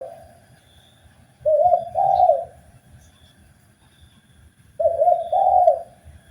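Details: Spotted dove (tekukur) from Indonesia in a master recording meant to make kept doves sing. Two separate soft, low cooing phrases, each a pair of rolling coos, roughly three seconds apart over quiet hum.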